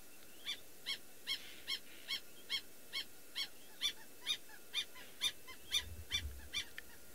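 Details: White-crowned Lapwing on an African safari, one of a pair, calling to the other bird. It gives sharp, ringing high notes, about two or three a second, over a faint low rumble.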